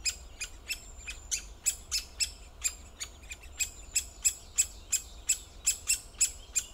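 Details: A great spotted woodpecker calls steadily with a long run of abrupt, piercing clicks, around three per second. A brief pause comes midway, then the notes grow louder toward the end. Soft low rumble underneath.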